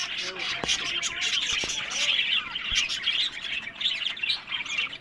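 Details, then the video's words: Breeding budgerigars in Larkana, Sindh, giving a constant chatter of high squeaky chirps and twitters, with a few sharp knocks or taps heard in the background. "Buddies Parrot Voice"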